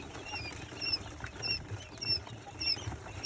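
Little bustard chicks giving thin, very high peeping whistles about every half second, over steady rustling and soft patter.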